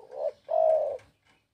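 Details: Spotted dove cooing: a short low hollow note, a brief pause, then a longer, steady, slightly throaty coo, with no other sounds.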